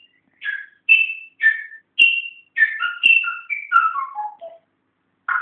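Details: Whistling pet African grey parrot, indoors and learning to talk: clear, tuneful whistled notes in a run of about a dozen phrases that step downward in pitch before a pause and one final burst.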